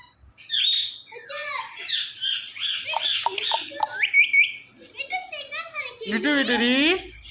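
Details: A pet ringneck parrot chatters rapidly through a string of raspy, speech-like syllables and clicks, then a clear rising whistled note and a long wavering nasal phrase near the end.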